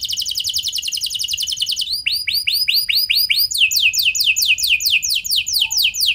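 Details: Cengkok mewah lure song of a canary, intended to make other canaries sing: a fast rattling trill, then slower repeated arched notes, then a run of rapid downward whistled sweeps.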